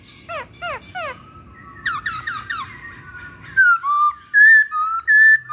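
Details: Masked laughingthrush (poksay hongkong) singing for a pancingan lure recording: three sharp downslurred notes, a tumbling cluster of slurred chirps, then a series of loud, clear, level whistles repeated about once a second over a faint hum.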